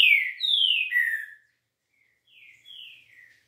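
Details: Trinca-ferro (green-winged saltator) with a smooth 'liso' song: three loud, descending whistled notes in quick succession, a short pause, then three softer falling whistles.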